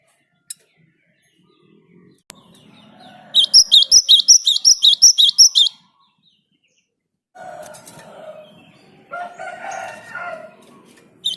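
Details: Java sparrow singing to stir other birds into song: a quick burst of high, tinkling repeated notes, followed by lower, harsher rasping calls and scattered clicks.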